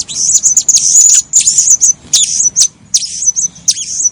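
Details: Female blue-crowned hanging parrot, suitable as a breeding bird, calling busily: piercing high tweets and brief sustained whistles, some notes dropping slightly in pitch, delivered in quick irregular bursts.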